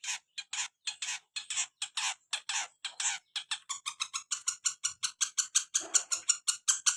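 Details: Long-tailed shrike of the Madura type in full voice: scratchy, buzzy notes that speed up into a quick, even chatter of many short calls.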